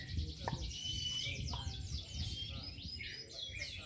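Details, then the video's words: Canaries of the kalitan class competing at a crowded bird-singing contest in Sleman, Jogja, Indonesia, on Sunday 30 January 2022; rapid high twittering trills and rolling phrases continue throughout, over low crowd chatter and background noise. "LOMBA BURUNG KENARI DI JOGJA"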